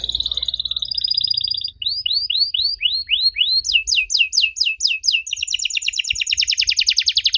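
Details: Canary singing a strange-sounding lure phrase meant to draw answers from young canaries. A level trill gives way to about six slurred rising-falling notes, then steep downward sweeps, ending in a fast high trill.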